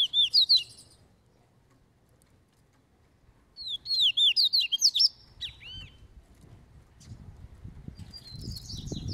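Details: Training double-collared seedeater singing caveirão song, loose: rapid loud slurred whistle bursts separated by silent gaps, ending with a softer buzzy phrase over rising low rumbling noise.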